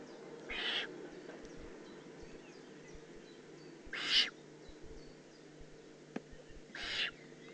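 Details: Juvenile Eurasian eagle-owl, Eifel, 18 June 2016. Three harsh, noisy hisses come at irregular intervals of three seconds or so, one louder than the others, with a single sharp click and faint high twittering.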